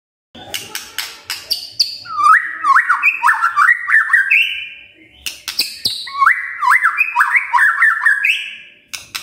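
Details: Magpie-robin lure song used to spur other birds into singing: two bursts of rapid, looping whistled notes that zigzag up and down, each opened by sharp clicks and high chips, with a short pause between bursts.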